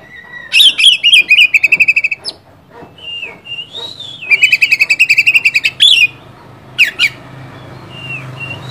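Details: Oriental magpie-robin song used to provoke a rival bird: rapid runs of harsh repeated notes, about a dozen in quick succession, broken by clear sliding whistles, with a faint low hum beneath.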